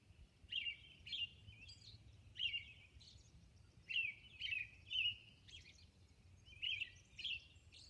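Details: Dawn song of a robin on Orcas Island, a series of clear, high caroling phrases, each rising and falling, given about once a second with short gaps, steady quiet background.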